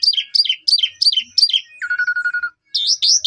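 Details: Asian pied starling lure song, recorded on a phone in Cipunagara, Subang, Indonesia, used to spur listless caged starlings into singing. Five quick descending slurred whistles, then a flat buzzy rattling note, then rising looped whistles.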